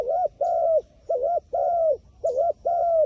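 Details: Wild pigeon cooing, described as smart and wary of a phone camera: low mellow two-part coos, dipping then level, repeated steadily about once a second with short gaps, with a faint high chirp now and then.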